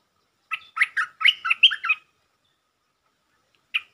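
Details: Lure song of a Stripe-throated bulbul for provoking the resident territorial bird: one rapid phrase of about seven bright, warbling notes, then silence and a single closing note.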